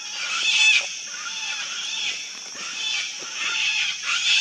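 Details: Wild Sulphur-crested cockatoo colony: a continuous chorus of grating, raspy screeches from several birds, rising to louder peaks near the start and end, with a faint steady tone underneath.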